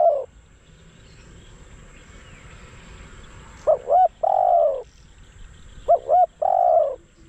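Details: Spotted dove used as a decoy for trapping wild doves: after a quiet stretch, two phrases of twin rising hoots and a long grating coo follow about two seconds apart.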